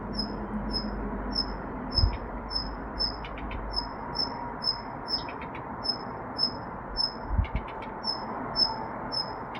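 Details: A Daurian redstart calls steadily with piercing high whistles about every half second, adding scattered rapid clicking tacks between them; a muffled low rumble and a couple of soft knocks underneath.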